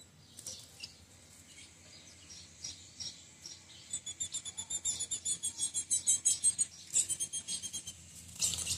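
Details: Female ultramarine grosbeak, said to be very hot and ready for mating, used to warm up a cold male, giving high, thin chip notes in a quick, uneven series, with a brief rustle near the end.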